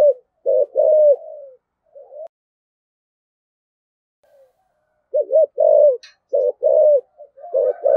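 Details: Decoy spotted dove in the 'thổ' voice style, cooing and calling with a two-ending call; deep, soft, rounded coos in short groups, a few seconds of near silence, then a resumed string of coos and a brief click.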